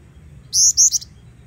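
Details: Three piercing high whistles, the second brief and the third shorter and dropping, from a female Black-winged Flycatcher-shrike played as training bait; otherwise only faint low background noise.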